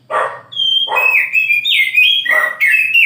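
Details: Morning song of an oriental magpie-robin: loud clear whistles that slide and step between pitches, broken by harsh, rasping bursts at the start and between phrases, with a low hum in the background.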